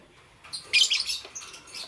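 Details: Lovebird (green, yellow and lutino birds) chirping in the morning: a quick burst of shrill, scratchy chirps, then a few thinner high notes in under two seconds; nothing else is heard.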